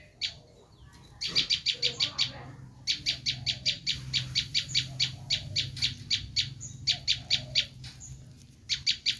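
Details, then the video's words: Rasping, rapid-fire chips from a Bar-winged prinia screaming, a lure call for wild prinias: a near-continuous rattle of scratchy notes with brief breaks, against quiet low background noise. "Suara asli prenjak lumut menjerit"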